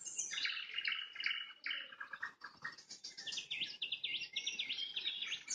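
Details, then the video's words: A nightingale sings as the sun sets, delivering fast repeated notes, then a long series of quick rising chirps, about two per second. "Пение соловья на закате, соловьиные трели"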